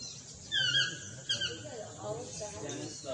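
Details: Chestnut-mandibled toucan, also called Swainson's toucan, with two sharp descending yelps early on, followed by soft, indistinct murmuring sounds in the background.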